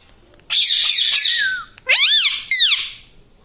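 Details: Parrot described as talking "mummy papa": a long raspy, noisy squawk followed by two strongly harmonic, rising-then-falling speech-like syllables, loud and close.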